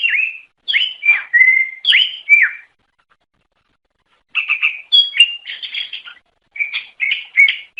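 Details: Greater green leafbird, an Indonesian songbird, singing to lure other birds of its kind: clear whistled phrases dropping in pitch, a two-second pause, then a renewed sequence of chirpy, warbled notes.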